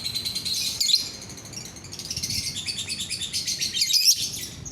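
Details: Lovebird in full song: shrill, scratchy chatter that swells and fades in waves, with squeaky whistles and short pauses. The recording is intended to make other lovebirds join in.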